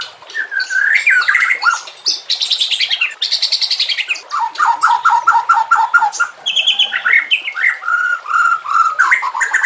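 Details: White-rumped shama training song: a varied rush of whistles, harsh buzzy bursts and fast repeated chattering notes, loud and continuous throughout, with rising whistled phrases near the end.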